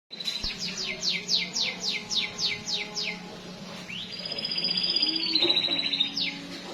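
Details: Canary singing the Indonesian 'roll panjang' (long roll) style: a fast series of bright downward-sweeping notes repeated several times a second, then a sustained high buzzy roll held for about two seconds.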